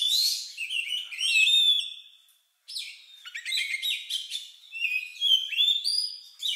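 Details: Unusual Oriental magpie-robin song, said to resemble a lovebird, used to provoke other birds to sing: loud whistled slurs, a brief silence, then rapid chattering chirps and clear piping whistles.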